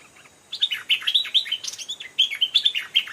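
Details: A wild adult stripe-throated bulbul near a cliff gives rapid bubbly, chirping phrases of short slurred notes, bursts repeated about every half second over faint background hiss.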